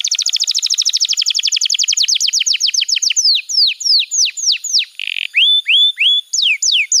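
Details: Young-canary training song from a canary: a very fast rattling trill of falling notes that slows into loud separate down-sweeping whistles, a short harsh burst, then rising and falling slurs.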